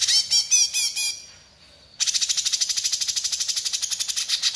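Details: Bulbul singing actively: bright harmonic chirps for a second, a short pause, then a fast buzzy rattle of rapid high pulses, roughly two per second, running to the end.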